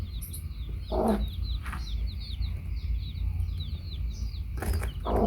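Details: Hen and baby chicks: only a few brief low clucks break in, while shrill chick peeps chatter almost nonstop above a strong low rumbling background.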